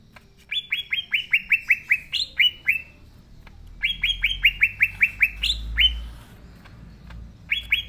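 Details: Green leafbird singing vigorously: repeated phrases of about ten quick, clear descending chirps with a higher note near each end, separated by short pauses, over faint low background rumble.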